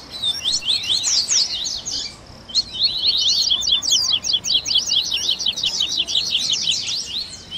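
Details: Coleiro 'esquenta' recording to encourage captive seedeaters to sing: a brief twittering phrase, a pause, then a sustained rattle of quick, sharp, evenly repeated high notes.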